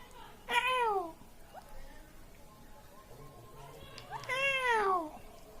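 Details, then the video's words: Indian ringneck parakeet, a talking pet parrot, making two drawn-out, falling meow-like calls about four seconds apart, with a quiet room and faint chatter between them. "Indian Talking Parrot"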